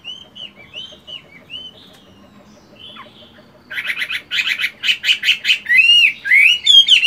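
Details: Caged Chinese hwamei singing during its moult in a morning practice session. Soft, arched whistles repeat at first, then loud, fast bursts of harsh chattery notes, ending in bright looping whistles.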